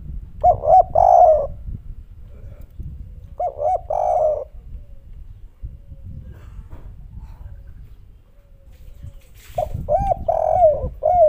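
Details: Spotted dove, kuk 3 coo style, with a voice described as melodious. Three phrases of soft, purring coos roll out a few seconds apart, each a hooted lead-in followed by a longer warbling note, against low background rumble.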